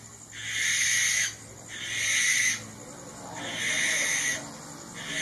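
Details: Barn owl (Tyto alba) calling with three long, raspy, breathy screeches, each roughly a second in length with brief pauses between them; little else audible.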